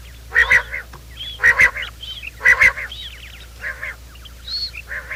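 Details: Quail lure call for morning trapping: loud paired nasal bursts about once a second, each followed by thin high arching notes, several birds overlapping against a low background hum.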